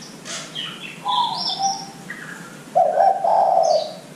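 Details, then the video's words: Lure recording of zebra dove song meant to start young doves calling; a softer coo midway, then a strong rolling coo at the close, with high twittering birds throughout. "Pancingan Derkuku Muda Agar Cepat Bunyi"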